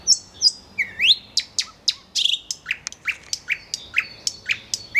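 A nightingale sings a rich, varied phrase of high whistles, rising slurs and sharp clicking notes delivered in quick succession, about three notes per second.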